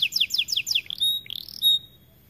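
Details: White AF canary in an aviary singing vigorously: a fast series of high, descending swept notes repeated about five times, then high thin whistles and a short buzzy phrase ending in a sustained clear whistle.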